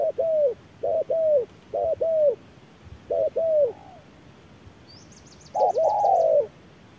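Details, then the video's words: Spotted doves dueling, a decoy against a wild bird under harsh midday sun: short two-note cooing phrases with pauses between, a longer rough coo near the end, and a brief high trill from another bird. "MỒI MÁY DẬP ĐẤU BỔI GIỮA TRƯA NẮNG GẮT BỔI HÁ CẢ MỎ"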